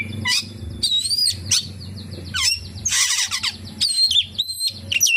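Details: Oriental magpie-robin delivering kapas tembak fill-in phrases: bright looping whistles, a dense harsh rattle near the middle, and sharp upslurred notes separated by short gaps, with a soft low hum.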